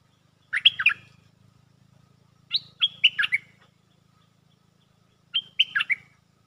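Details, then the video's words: Stripe-throated bulbul kept as a caged lure bird gives three lively phrases, each a quick cluster of liquid, bouncing notes spaced roughly two seconds apart, with a soft low hum behind. "Suara pikat merbah lekir gacor"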